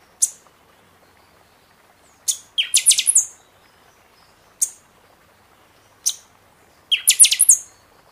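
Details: Buffy-fronted seedeater singing heavily in season, meant to fire up caged birds after moult; isolated high chips interspersed with two rapid phrases of shrill, pulsing whistles, each phrase under a second long.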